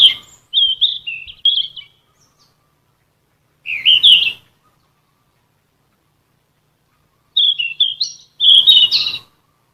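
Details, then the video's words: Ficedula flycatcher song meant for tutoring captive songbirds: several separate bursts of high, clear whistled notes and quick warbles, spaced by silent gaps of a few seconds, with no other sounds. "Terapi Vokal..!BURUNG KICAU"SIKATAN EMAS"(KICAU MANIA)Full Gacor"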